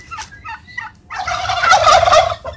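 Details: Domestic turkeys on a farm in Savar being fed grass; a burst of loud, rapid gobbling after a few short clucking notes, rich and rattling.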